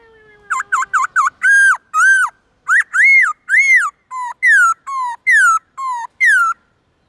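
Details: Black-throated laughingthrush singing varied forest-style morning song meant for training young birds: quick burst of short looping whistles, then loud, rich, rising-falling whistled notes in a steady series, with a faint low hum at the start.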